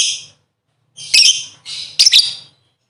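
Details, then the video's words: Lovebird sound meant to prompt other birds into singing: three harsh, high, buzzy squawks separated by short silences. "Burung Lovebird ll Pancingan Suara 5 detik Langsung Gacor"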